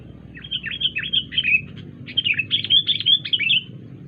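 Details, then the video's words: Wild sooty-headed bulbul giving an unusual, strange-sounding call: two rapid bursts of short, bubbly, down-slurred chirps, roughly eight notes each, separated by a brief pause, over a low steady hum. "kutilang liar suara Aneh"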